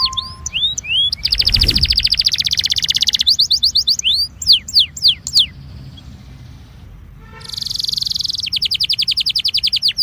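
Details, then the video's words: Warm-up song of a Belgian canary: quick upslurred whistles, a long buzzy trill, then sharp descending notes, a pause of soft background hiss, and a renewed rapid rattling trill. "INCARTE para esquentar canario belga"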